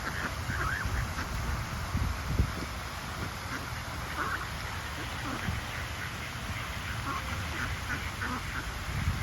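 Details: Social Mallard ducks quack to one another by the water: scattered nasal quacks, some in quick runs, against a constant low rumbling background.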